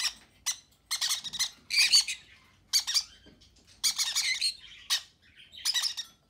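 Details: Baby conures fed by parent conures, uttering rapid raspy squeaking begging calls in short bursts, several in quick succession, with brief pauses and a quiet indoor background.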